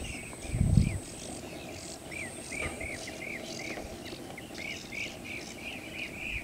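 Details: Blue-tailed bee-eaters at Bharatpur Bird Sanctuary, India, give short, rolling, mid-high chirps repeated several times a second, over low rumbling wind, a thump near the start and a thin insect whine.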